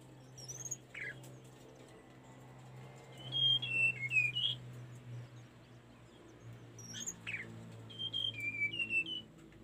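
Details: Tledekan gunung song for training caged birds: two separate whistled phrases of thin, stepping notes, descending then lifting at the end, with a brief scratchy note early on and a steady low hum underneath.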